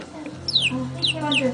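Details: A pet male budgerigar playing with his toy gives quick, bright chirps that slide steeply downward, with voices talking in the background.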